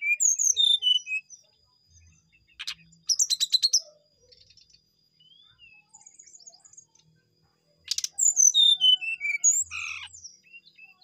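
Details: Brown-chested jungle flycatcher singing vigorously: bursts of high, clear descending whistled notes alternate with rapid buzzy trills and fast chattering phrases, separated by short pauses; faint low thumps underneath.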